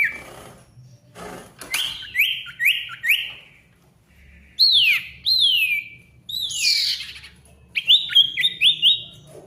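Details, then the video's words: Male ashy tailorbird singing busily: groups of crisp repeated downward-sliding whistles, a pair of sharp rising-and-falling notes, a harsher mid phrase, then another quick run of three ringing notes. "SIRTU GACOR RIBUT COCOK UNTUK SIRTU MACET BUNYI AGAR GACOR KEMBALI"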